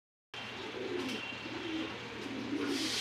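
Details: Bokhara pigeon kept in a loft in Bangladesh: soft, low cooing murmurs rolling on and off through a steady hiss, with faint higher chirps from other birds near the end.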